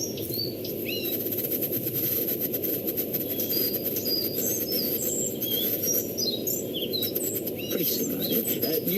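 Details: Collared flycatcher (Ficedula albicollis), song.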